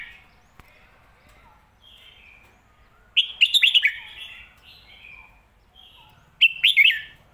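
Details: Red-whiskered bulbul singing 'lak wai' and 'mae bot' styles: two lively bursts of rapid chirping, bubbly notes about three seconds apart, with soft faint phrases between them.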